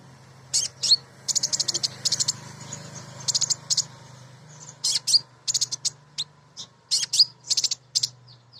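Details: The female crimson sunbird gives rapid rattling bursts of high chips, each burst under half a second and repeated in a quick series, with a low hum beneath. The call draws males and is used to trigger singing in birds.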